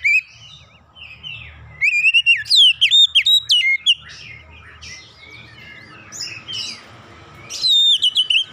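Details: Oriental magpie-robin song used to prompt other birds to sing: loud whistled phrases with sweeping slurred notes between two and eight kilohertz, bursts near two seconds and again near eight, with faint background rustle between phrases.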